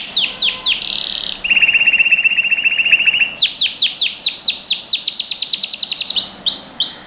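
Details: Canary song from a training recording for young birds: fast-repeated descending sweeps, a steady buzzy trill lasting about a second and a half, quicker downslurred runs, then arched rising-falling whistles at the end.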